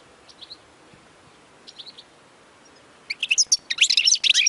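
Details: European goldfinch song for teaching young birds: a few soft, distant chirps, then from the third second a loud, quick run of tinkling, twittering notes.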